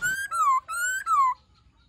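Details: Black-throated laughingthrush, a kept bird, singing a many-voiced forest-style song used to spur and train young birds: four loud clear whistles, alternating level and gently falling notes, in quick succession.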